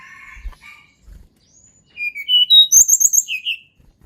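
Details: Sunda Robin (tledekan gunung), a natural recording used to provoke reluctant birds: soft buzzy notes and faint thumps, then a loud falling sequence of pure whistles ending in fast, very high trilled notes.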